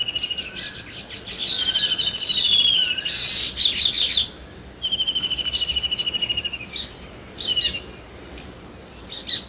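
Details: Bursts of loud sparrow chirping alternate with a fast, even, high rattling trill and then quieter scattered single chirps.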